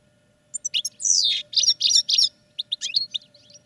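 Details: Caged European goldfinches singing during training: rapid bursts of high, tinkling, twittering notes and buzzy trills in irregular clusters, with short pauses between phrases and a faint steady low hum beneath.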